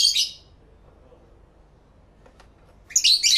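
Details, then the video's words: Captive lovebirds singing and talking to each other, recorded in stereo with two external microphones: two bursts of dense, shrill high chirping at start and end, separated by quiet with a faint click. "Lovebird Sounds"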